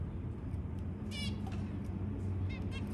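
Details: White zebra finch chicks, newborn, begging while being fed by a parent: two short bursts of rapid, harmonically rich rasping notes over a steady low hum.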